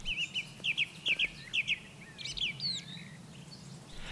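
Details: Song thrush singing in a forest in early spring in the morning, repeating a bright, whistled double-note phrase four times about half a second apart, then switching to a quicker, varied phrase, over a faint low hum.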